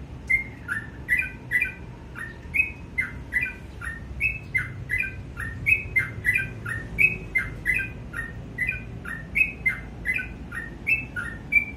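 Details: A sooty-headed bulbul in the morning sings steady paired whistles, bright high note then lower slurred note, repeated at an even pace for about twelve seconds, with a faint hum below.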